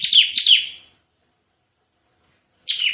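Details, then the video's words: Vocal Bar-winged prinia with 'tembakan' song for luring and tutoring other birds: two high, falling chirps ending a phrase, long silence, then a new burst begins. "Masteran suara tembakan CIBLEK GACOR untuk pikat dan masteran"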